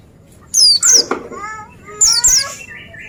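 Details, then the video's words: Oriental white-eye singing briskly: paired high, sharp whistled notes sliding downward, given in short bursts about a second apart, over softer lower twittering and warbled phrases in the background. "Jamin Pleci Lain Nyaut Gacor Dengar Suara Burung Pleci Ini"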